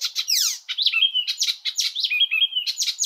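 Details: Icterine Warbler singing a fast, varied medley: harsh buzzy notes, rapid chattering, and clear whistled slurs rising and falling, with strong repeated phrases following one another without pause.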